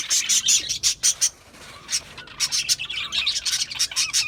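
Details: Parakeets giving distinct bursts of sharp high chirps and squeaks, about three per second, broken by a short quiet pause before the lively chattering resumes.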